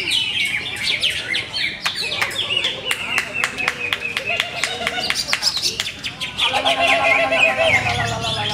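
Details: Greater green leafbird with many competition wins: rapid strings of sharp ticking notes about two per second, mixed with rich slurred whistles and a rattling warble, under murmuring human voices.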